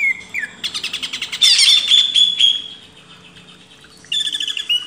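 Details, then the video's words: Greater green leafbird used as a training master for cage birds: pulsed buzzy chatter, a sustained whistled note, a quiet gap, then a trilled phrase. "MASTERAN CUCAK IJO // LANGSUNG GACOR"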